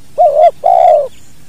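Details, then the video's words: A single 'kuk dua' phrase from a spotted dove, taken from a natural recording used to train other birds: a wavering low note followed by a longer, smooth coo that fades slightly at the end. "SUARA BURUNG TEKUKUR KUK DUA UNTUK MASTERAN ALAMI."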